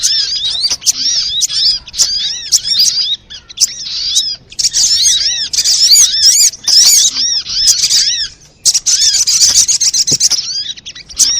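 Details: Sunbird lure recording, busy calls meant to draw sunbirds in and make them sing: dense runs of high, sharp, arching chirps in rapid overlapping bursts, with brief gaps near four and eight seconds.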